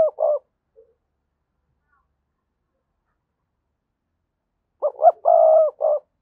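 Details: Spotted dove cooing as a decoy to start wild doves calling: a short end note, a long silence, then one complete low phrase of two quick rising notes, a sustained coo and a brief final note.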